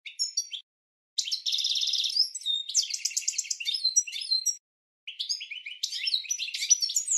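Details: Goldfinch training song for teaching cage birds: rapid high twittering phrases with a long buzzy trill and quick chirps, broken by two short pauses, no low sounds or other noises.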